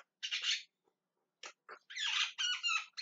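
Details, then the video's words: Javan myna calling loudly and repeatedly: harsh, noisy squawks in short bursts, a brief gap, then longer raspy screeches with some tonal streaks. Indoor-sounding recording with no other clear sounds. "JALAK KEBO TERIAK TERIAK MEMANGGIL"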